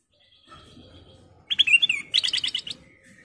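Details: Lure call of a golden bulbul, meant to draw other birds into song: faint thin whistle, then loud slurred whistled phrases running into a quick burst of bubbly repeated notes.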